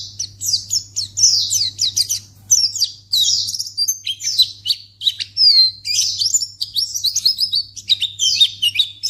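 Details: Lure recording of a white-eye (pleci) meant to provoke other birds into answering. It has bursts of rapid, high, down-slurred chirps run together into chattering phrases, some brief pauses, and a constant faint low hum.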